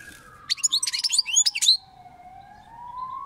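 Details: European goldfinch song: a quick run of tinkling, twittering notes and upward-sweeping chirps, with a steady, slowly wavering whistled tone running underneath and continuing after the bird stops.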